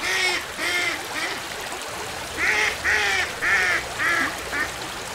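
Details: Duck quacking steadily. Harsh, nasal quacks come in two bursts, roughly two per second, with a brief quieter gap between them, over a constant outdoor hiss.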